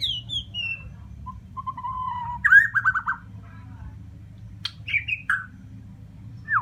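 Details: White-rumped shama from Borneo giving clear whistled phrases: falling slurred notes, a level whistle, then a louder burst of rapid rising-falling notes, separated by pauses, over a faint low hum.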